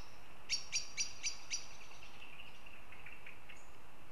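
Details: Northern goshawk in Riga, Latvia, giving five quick, harsh notes at an even pace, followed by thin, fainter drawn-out notes that trail off, with a quiet hiss behind.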